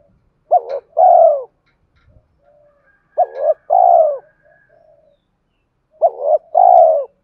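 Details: Decoy spotted dove giving its challenge coo meant to provoke fighting and summon a mate. Three evenly spaced phrases, each a short double note followed by a drawn-out hollow coo, repeated about every two and a half seconds; a faint chirp between them.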